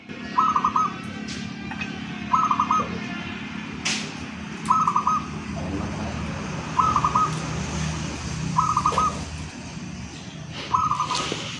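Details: A prized local zebra dove, kept for its voice and frequent cooing, gives six short, rapid, gurgling coo phrases, one roughly every two seconds, over a low background hum with a few faint clicks.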